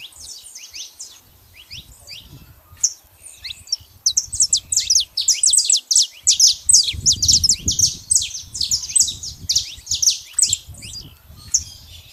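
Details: Saffron finch heard in nature in a rural setting: a fast run of high, sharp chirps and downslurred notes, densely packed and repeated almost three times a second, with low rumbling background noise.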